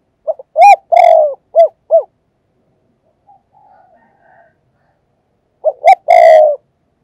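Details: Spotted dove used as a perched decoy to lure doves, giving the urging 'thúc gù' coo: a quick run of short arched coos and one longer coo, a near-silent gap with faint notes, then the same phrase again, loud and slightly distorted.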